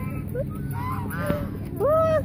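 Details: Hungry geese approach people at Mueller Lake park in Austin, Texas; soft wavering honks lead into one loud, long, level honk close by near the end, with a person speaking.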